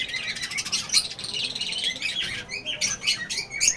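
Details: Baby lovebirds in a colony, filling the air with dense, overlapping shrill chirps and harsh squawks, high-pitched and nearly continuous, some notes sliding upward in quick bursts.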